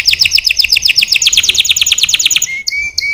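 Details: Canary pouring out an extremely fast, bright trill of slurred notes lasting over two seconds, then a few clean level whistles.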